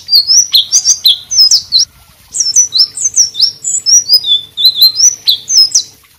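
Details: Actively singing white-rumped shama, recorded as tutor song for other birds, delivering a continuous stream of loud, sweet whistles and slurred high notes in rapid phrases, briefly pausing mid-way before resuming.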